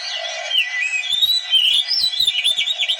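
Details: Oriental magpie-robin song used to stimulate lazy birds to sing and spread their tails: a dense, continuous run of high warbled and whistled phrases with rising and falling sweeps, with no pauses across three seconds.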